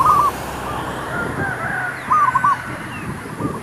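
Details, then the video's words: Zebra dove song used to lure wild doves for trapping; one phrase opens the recording and a second follows two seconds later, each a quick string of bubbling, staccato coos with faint background noise. "MEMIKAT MERBUK"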